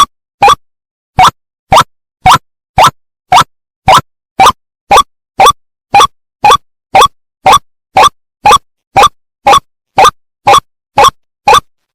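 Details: A loud, evenly spaced plopping click repeats about twice a second against silence, with no animal voice present.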